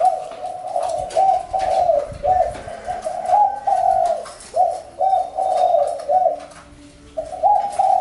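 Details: Spotted dove delivering a dense run of low, husky coos in short bursts, unevenly spaced and almost continuous, with one longer pause before a final pair of notes.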